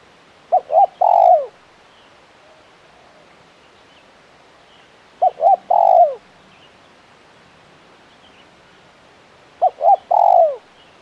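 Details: Spotted dove (tekukur), a KUK 1 caller with crisp voice, repeats its three-note coo phrase three times, roughly every four to five seconds, each ending in a long falling coo; background otherwise quiet.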